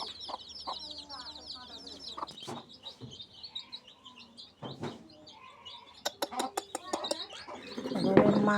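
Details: A native (desi) hen raising her chicks in the rainy season clucks in soft, repeated notes under a busy layer of thin, high chick peeps, with scattered clicks and a burst of noise near the end.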